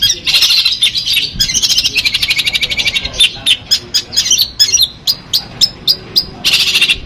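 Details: Kept long-tailed shrike of Madura stock from Pamekasan giving full Armagedon song material: a long harsh buzzy rattle that breaks into evenly spaced sharp ticking notes, then a final buzzy burst.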